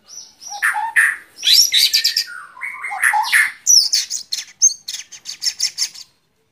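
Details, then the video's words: White-rumped shama song, presented for relaxation: high, varied phrases of sharp chirps, short whistles and buzzy rattling trills, delivered in quick clusters separated by brief pauses, ending after six seconds. "Relaksasi suara Burung Murai Batu"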